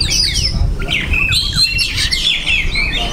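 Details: Kacer, the Oriental magpie-robin, singing masteran, learned imitations: sweeping high whistles and quick scratchy chirps over a noticeable low rumbling background.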